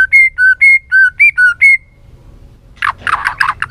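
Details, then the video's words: White-rumped shama song with many voices. It opens with steady two-pitch whistled notes repeated about twice a second, then after a pause gives a burst of harsh, scratchy, jumbled notes. "Kích Chòe lửa hót nhiều giọng, Căng lửa, chòe lửa đánh đuôi kích cực nhạy.luyện chòe lửa hót nhiều"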